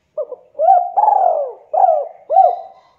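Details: Javanese spotted dove in fast, dense 'KUK 2' calling. A soft double opening note leads into a swelling coo, a long downward-bending croon and two final looping hoots. Nothing else is heard.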